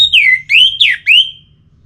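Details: Orange-headed thrush song used to get birds singing: three loud, full, swooping whistled phrases in quick sequence, each sliding down then up, trailing into silence.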